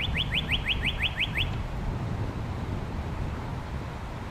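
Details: Northern cardinal song captured with a windscreened shotgun microphone: eight bright, rising slurred whistles delivered rapidly over one and a half seconds, followed by steady low background rumble.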